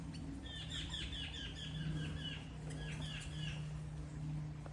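A female crimson-backed tanager gives a quick run of short, sharp chirps in close succession, over a steady low hum and background rumble.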